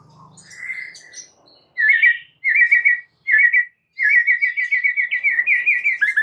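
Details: White-rumped shama master song: a faint low note and a whistled phrase, then bursts of quick rolling trills, and finally a long, continuous rippling trill.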